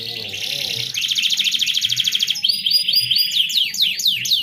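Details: Canary song meant to bring a reluctant canary into mating mood: a long fast rattling trill, then a run of steep downward-sweeping whistled notes, repeated quickly, over a faint low hum.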